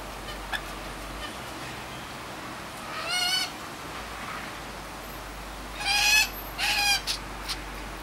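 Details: Wild rainbow lorikeets visiting a suburban spot in Sydney, Australia, in the afternoon: harsh, rasping screeches with stacked harmonics, one near three seconds, then three loud bursts between six and seven and a half seconds.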